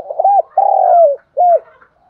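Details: Spotted dove calling, used as a lure for wild doves in wind or rain: two short arched coos, a long falling drawn-out coo, then one final arched coo, low and mellow.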